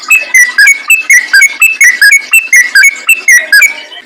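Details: Yellow-vented bulbul singing in a lively wild style, used as a lure for other bulbuls: loud, bubbly, fluty phrases of short warbled notes repeated in quick succession without pause.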